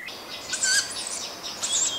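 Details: Young tawny owls, one of a brood of four or five, give two hoarse, hissing begging calls, high and wheezy, about a second apart, each with a faint thin whistle, signalling they want feeding by their parents.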